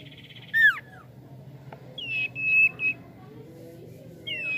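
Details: Javan pied starling being trained to steady its nerve: loud descending whistles, then a sustained level whistled note broken into short segments, with a faint voice and low hum behind.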